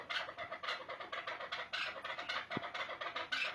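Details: Chukar partridge uttering a continuous string of coarse chucking notes, evenly spaced, with one brief knock midway.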